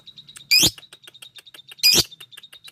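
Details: Lovebird calling to a rival with two loud, harsh shrieks about a second apart, over a soft background of steady high ticking chirps.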